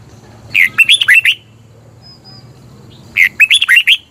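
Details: Red-whiskered bulbul from Thailand, a recording played to lure birds or to liven up caged birds. Two bright phrases of quick, liquid, rising-falling notes are separated by a pause holding a brief faint high whistle.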